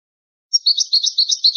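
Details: European goldfinch in an old recording of its original song: a short, fast, continuous twitter of high liquid notes starting after a brief silence.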